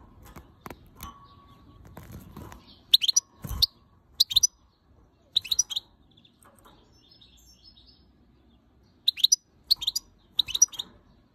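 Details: ['Angry female European goldfinch scolding the camera, uttering clipped high tweets in small clusters separated by pauses, with a few faint clicks and knocks early on.']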